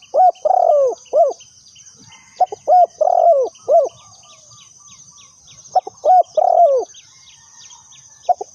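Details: Spotted dove kept as a lure bird for trapping; hollow, low cooing phrases of three to four notes, the middle note longest, repeated about every three seconds, over a steady shrill high buzz and scattered thin chirps from other birds.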